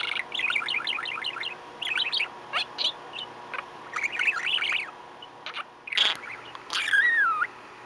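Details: Budgerigar, a male, watching underwater footage of swimming penguins and adding his own sound effects: quick, warbling chirps with buzzy clicks and a few rising whistles.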